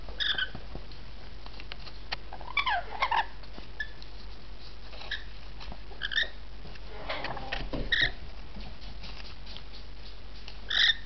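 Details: Rainbow lorikeet calls scattered over a noisy background: brief harsh squawks and chattering notes at irregular intervals, with a louder screech at the very end among faint clicks and rustling.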